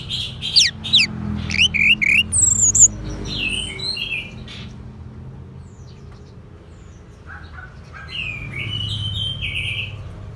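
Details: An orange-headed thrush pours out a fast run of bright, sharply slurred whistles and chattering notes, pauses for several quiet seconds, then resumes with softer, wavering whistled phrases.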